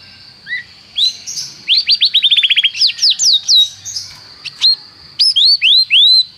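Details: Canary singing as a training tutor: scattered rising whistles, a short run of quick descending notes, more upslurred whistles, and a faint steady high tone underneath, with pauses between phrases.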